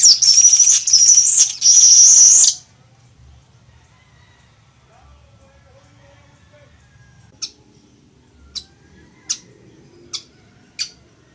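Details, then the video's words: Weaver, in a recording meant for teaching birds to sing, opening with loud sizzling buzzy song bursts, then a quiet pause, followed by five spaced high chip notes. "CANTO DE AVE TEJEDOR O CHICHIGUAGO"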